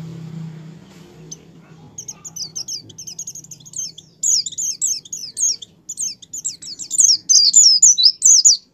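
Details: White-eye in full song, meant to stimulate caged white-eyes into singing: soft scattered high notes build into a long, fast stream of sharp downslurred twitters, growing louder toward the end, with a low hum at the start.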